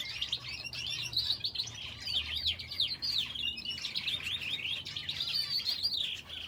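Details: Aviary finches sharing their enclosure with a canary produce a steady wall of bright, high twitters and rapid chirps, several birds overlapping with no pauses.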